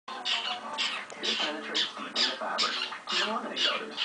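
A cockatiel gives a run of harsh, squawky chatter in short bursts, roughly one each second.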